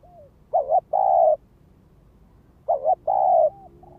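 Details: Lure spotted dove calling from the ground to stir up wild doves: two phrases of a quick wavering double coo followed by a longer level hooting coo, plus faint soft whistled notes at the start and end.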